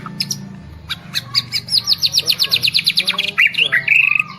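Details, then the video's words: White-rumped shama of the Medan type, said to bow repeatedly while singing, delivers a fast run of about fifteen evenly spaced high chips, then slurred whistles and a sustained buzzy note near the end, with faint low hum beneath. "Murai medan bisa sampai sujud sujud nih"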